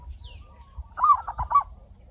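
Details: Used to prompt other birds to sing, this zebra dove song begins with faint soft coos, then gives a short cluster of three or four rapid, rolling cooing notes.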